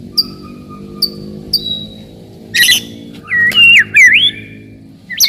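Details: White-rumped shama song for provoking rivals and testing young birds: a few soft high whistles, then a buzzy burst and a looping warbled whistle, over steady low droning background noise.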